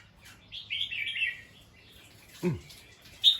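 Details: Bulbul giving alarm calls after listening to a sound: a burst of scratchy, chattering notes sliding between mid and high pitch, then a short sharp note near the end, over a low steady hum.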